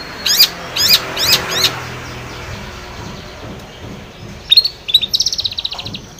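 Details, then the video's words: Lively long-tailed shrike song meant to set off a silent shrike: four rasping, descending notes in quick succession, a pause, then higher chattering and short trilled notes near the end. "KICAU SUARA Cendet gacor pancingan cendet stres macet bunyi"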